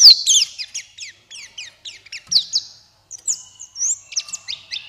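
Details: High-pitched buxtoni white-eye twitter meant to prompt silent white-eyes into full forest-style song: a string of fast, evenly spaced sharp chips, a brief gap, then tumbling warbled notes.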